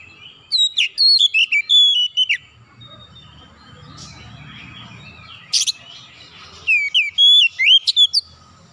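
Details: Oriental magpie-robin calling: two bursts of loud, clear whistled notes sliding and dropping between high and mid pitch, a rapid phrase near the start and another near the end, with a quiet gap, a brief sharp click and faint low background hum.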